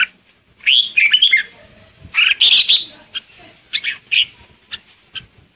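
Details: Flock-calling lure song from a red-whiskered bulbul, bursts of bright chattering warbles followed by shorter clipped notes, phrases spaced about every second or two.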